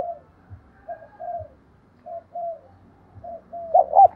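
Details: Spotted dove kept as a decoy, calling wild doves in with the 'thổ đồng' voice style: a run of soft, short, low cooing notes that ends in a louder clipped double note.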